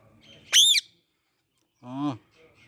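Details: Parrot giving two loud calls: a short, harsh, high squawk, then after a second of silence a lower, drawn-out harmonic call.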